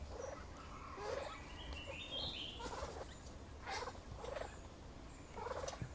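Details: Courting male grey peacock-pheasant showing off his plumage to a female at a hide in Kaeng Krachan National Park, Thailand: brief gruff clucks in irregular series, over a background of other birds' chirps and a faint whistled phrase.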